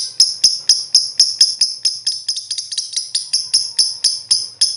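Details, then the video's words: Lovebird lure song for prompting other birds to sing: sharp, high, metallic chirps repeated steadily about four times a second, with a faint low hum beneath. "Burung Lovebird ll Pancingan Suara 5 detik Langsung Gacor"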